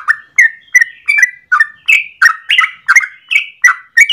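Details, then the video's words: Yellow-vented bulbul in long morning 'ropel' song for lure or master use: about ten rich, bubbling notes at a quick steady pace, some rising sharply, others sliding downward, nothing else audible. "Trucukan gacor ropel panjang pagi hari"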